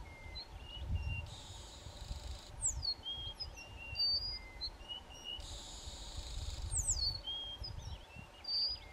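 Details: A pair of Dark-backed Weavers duet to defend their occupied territory from neighbours: two long, wheezy buzzes about four seconds apart, woven with sliding whistles and quick chirps, over a low rumble.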